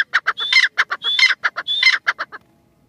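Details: Female grey francolin calling with a brisk sequence of rasping clucks and three whistled rising notes. The series stops abruptly, leaving silence in the final half second.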